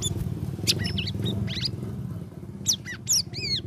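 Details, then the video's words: Sooty-headed bulbul, caged and in its third week of ombyokan care, giving ngeriwik ngeplong song. Quick, high, chirpy notes and a few curving whistles in short clusters, with a constant low rumbling background. "CUCAK RAWIS NGERIWIK NGEPLONG"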